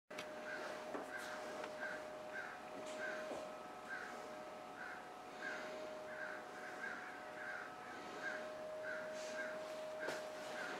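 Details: Crows, returned for the pecans, give harsh, rasping caws in quick runs of several notes, repeated through the clip over a steady low mechanical hum.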